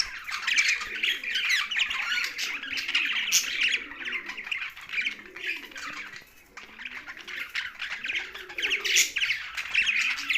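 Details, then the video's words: Young budgerigar chirping: dense, scratchy chatter and squawks run almost without pause, with a short lull near the middle before the busy twittering resumes. Faint low warbling notes sit beneath. "Young Budgie's Sound's"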